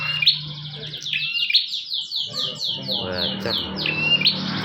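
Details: High rapid series of downslurred chirps from a bar-winged prinia, given as training material for other birds, with a few sharp accented notes, over a low humming background and a person talking nearby.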